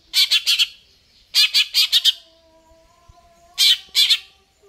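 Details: Greater green leafbird singing with harsh, rapid rattling bursts of three to four notes, repeated after short gaps, with a faint steady whistle running underneath.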